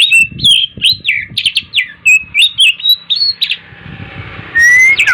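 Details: An Oriental magpie-robin sings in the morning, a quick run of varied whistled, looping phrases repeated about three times a second, ending in a long rising whistle, with faint low background noise.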